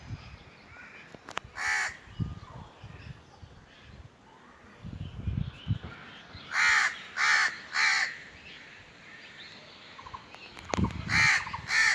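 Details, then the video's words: Harsh crow caws outdoors: a single caw, then a pause filled with low rumbling noise and faint clicks, then a run of three caws and a closing burst of three more, each rasping and evenly spaced. "Crow call | Crow sounds | Crow sound effect"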